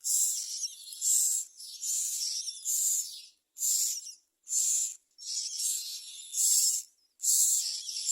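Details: Common myna nestlings screaming for food; shrill, hissing screeches repeated roughly once a second, short bursts with brief silent gaps, sometimes overlapping into longer strings.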